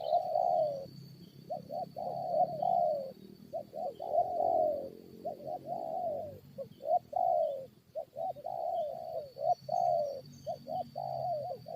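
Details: Spotted doves calling back and forth while a lure bird fights wild ones: rapid repeated low coo phrases, short double notes followed by longer falling croos, continuing almost without pause over a faint steady hum.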